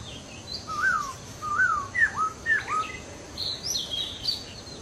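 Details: Masked laughingthrush in the wild: a series of clear descending whistled slurs, each about half a second, given in quick succession, with higher thin notes from other birds and steady background hiss.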